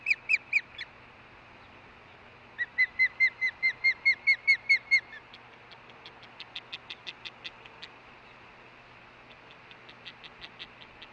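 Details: Female osprey calling at the Hellgate nest on August 10, 2013, around 11:40 am, after a fish delivery: quick repeated buzzy chirps, loud in the middle, then fading to fainter, thinner notes toward the end.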